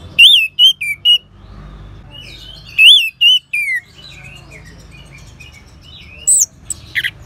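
An orange-headed thrush sings loud, clear whistled phrases, each a quick rising-and-falling slur in short bursts, followed by softer, varied twittering notes and a final high squeaky note.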